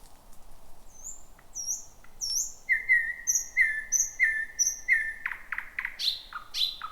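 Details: Thrush nightingale at night in thick bushes, 2026: soft high whistles lead into five loud level piping notes repeated about every half second, then sharp clicking notes and ringing calls.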